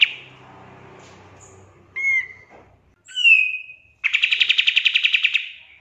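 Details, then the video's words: Pied triller song for songbird training: a few separate slurred whistles, then a rapid rattling trill of evenly repeated sharp notes, faint low hum beneath. "PANCINGAN KAPAS TEMBAK FULL TEMBAKAN COCOK BUAT MASTERAN"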